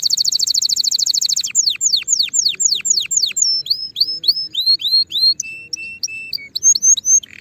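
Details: Singing canary for tutoring young birds early for the 2024 season: a rapid rattling trill, then a run of steeply falling whistled swoops, then varied short chirps and upslurred notes.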